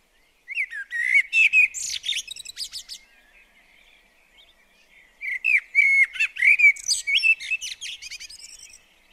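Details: Singing blackbird at a bird table in a garden, giving two long verses of smooth, mellow whistles that tumble into rapid, high, metallic twitters, with a quiet gap between them.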